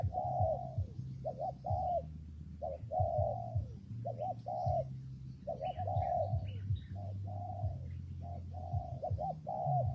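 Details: Spotted dove heard in wet, windy weather, cooing steadily: brief double coos alternate with long, slightly falling notes, cycling about every few seconds; a persistent low drone and scattered faint bird chirps underneath.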